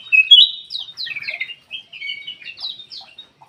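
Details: Bulbul known as kutilang emas singing to stimulate lazy caged birds. A loud rising whistle opens, followed by a flowing series of short, liquid, slurred notes that fade gradually.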